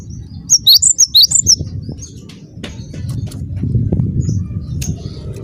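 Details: Cinereous tit lure call for provoking replies: one short burst of about six sharp high chirps early on, then only low rumbling background noise.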